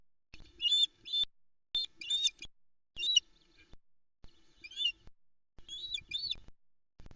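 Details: Osprey on a Loch Arkaig nest, 14 June 2020 at 07:44, greeting the male's delivery of a big trout with excited squeaks; five spaced bursts of shrill, quavering double and triple notes, captured on a streaming nest camera.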